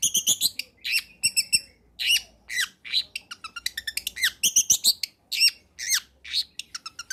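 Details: Varied lure song of a long-tailed shrike for getting lazy shrikes to sing, mixing high stuttered notes, swooping slurred whistles and dense rapid chatter with hardly a pause.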